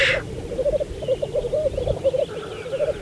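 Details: Short stretch of a Saaremaa black grouse lek, spring 2014. A brief hiss opens, then a rhythmic, pulsing bubbling coo of about a dozen rounded notes.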